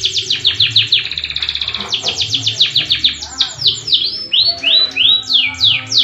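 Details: AF canary singing energetically with long rolling 'tembakan' phrases: a fast series of sharp descending notes, a brief buzzy rattle, then slower sweeping rising-falling whistles spaced about half a second apart.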